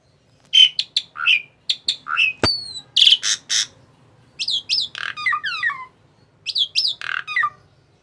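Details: Tame Asian pied starling calling indoors: a busy run of harsh squawks and chattering notes mixed with quick whistled slurs that rise and fall, in bursts with short pauses, and one sharp click partway through.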